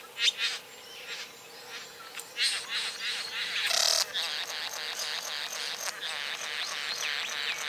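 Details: Satin bowerbird during courtship behaviour: a dense run of buzzy, crackling and rasping notes with mechanical whirring, rising into a loud sustained churring burst, then continuing as rapid harsh chatter.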